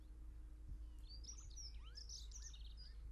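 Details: Brambling in Ballinaglera, Ireland, giving a quick run of thin, high chirps and twittering notes with a few short downslurred calls, over a steady low rumble.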